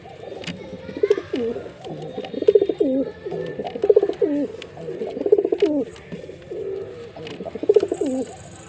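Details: Male jeera pigeon performing a long run of throaty coos, about six bubbling rolling phrases in steady succession, each trailing off lower, soft hum underneath.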